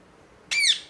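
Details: Parrot letting out one short, loud, harsh squawk, rasping and noisy, lasting under half a second after a moment of quiet.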